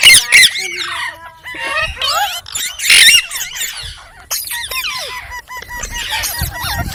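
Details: Chirping green ringneck parrot giving rapid squeaky notes and chattering calls, some short flat whistled tones repeated near the end, loud bursts alternating with quieter babble.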